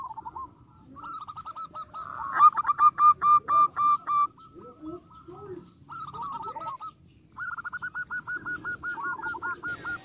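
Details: Zebra dove song aimed at stirring rival birds to respond: bursts of fast, rolling coos, one loud, strongly pulsed stretch, brief pauses, then another long, evenly beaded trill. A faint voice is heard in the background.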